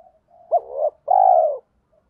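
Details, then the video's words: Luring coo of a spotted dove with thổ pha đồng voice: a single phrase with a sharp brief note, a swelling middle coo and a long, loud, slightly falling final coo, faint murmurs before and after. "tiếng chim cu gáy giọng thổ pha đồng, cu gay kich boi nhanh noi gù"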